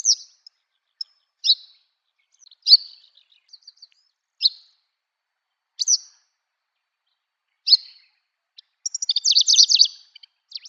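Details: Eastern yellow wagtail singing at Shimo-Sarobetsu wild plain nature trail, Hokkaido: short high, buzzy chirped phrases spaced every one to two seconds, ending in a denser rapid burst of twittering notes; otherwise quiet.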